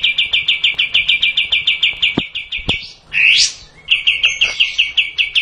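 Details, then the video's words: Kapas tembak bulbul delivering a long song: quick repeated bright notes, a faint click or two, a single loud rising-falling slur, then the fast chipping rhythm again. "Kapas tembak panjang"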